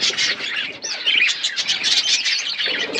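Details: Aviary budgerigars, a group in a forest setting, chattering constantly: overlapping warbled chirps and squeaky squawks with some rising and falling notes, forming a continuous busy chorus.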